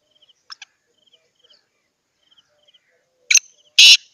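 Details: Hand-tamed black francolin (kala teetar) kept as a pet in Pakistan: after faint high ticking chirps, a loud harsh grating call bursts out near the end as several rasping notes in quick succession.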